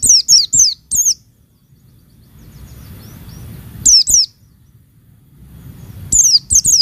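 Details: Calling female Oriental white-eye, played to stir males into song: short bursts of three to four high, sharply descending, slightly warbled chirps, then long pauses filled with faint low rumble.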